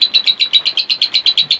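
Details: Kept African lovebird calling during Cyclone Remal, a fast, even series of shrill high chirps, about eight per second, loud and steady.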